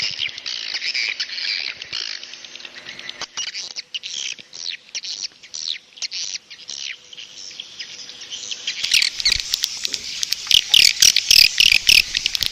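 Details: Swiftlet roosting call for attracting swiftlets: dense high chattering twitters repeated rapidly, growing louder and harsher in the last few seconds, with a faint low hum early on.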